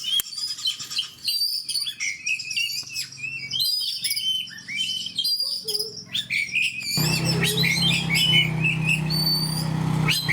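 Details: Oriental magpie-robin in nonstop 'gacor' fighter-style singing near other fighters: varied whistles, chirps and slurred notes about four per second, irregular phrasing; a steady low hum joins midway and continues to the end.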